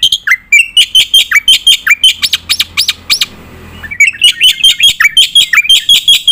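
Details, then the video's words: Black-winged myna in full song for tutoring contest birds: dense runs of sharp repeated squeaks, a short hissing noisy stretch, then the rapid chatter resumes. "jalak putih gacor full nembak isian"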